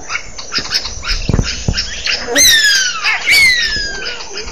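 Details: African lizard buzzard calling twice, each a strong, downward-sliding whistle about a second apart, over a dense background of chattering and chirping birds and a few low knocks.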